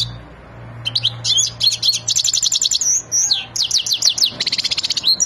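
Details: An excited European goldfinch of the Wadani type, ready to mate, sings a long, fast, liquid twitter. Rising and falling whistled notes mix with rapid buzzy trills and hardly pause. A faint low hum sits underneath at the start.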